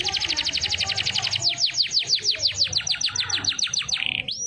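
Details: Canary singing in the siren-like style called cengkok sirine bliut. It gives a fast, even trill of high downward-sweeping notes that slows into longer swooping slurs, then ends on a sustained whistled note.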